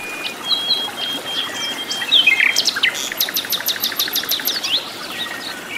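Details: Wild flycatcher (sikatan londo) singing vigorously in its natural habitat: thin high whistles, then a run of rapid sharp chirps repeated about ten times, with other faint bird notes behind.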